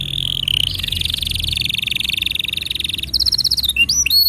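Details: Training song for young and non-singing canaries: a canary pours out a fast, buzzy, level trill, then switches to higher, crisper repeated notes and short upslurred whistles near the end.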